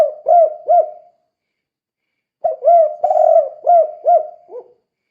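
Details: Spotted dove calling loudly in kuk-kuk style to lure other doves: a phrase of three arching coos, a pause, then a longer phrase of six coos with a drawn-out middle note and a lower closing note.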